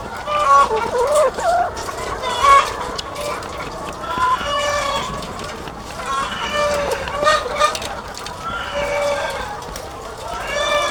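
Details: Many egg-laying hens on a farm, bursts of loud harmonic squawks and clucks rising above a continuous background chorus, coming in uneven waves.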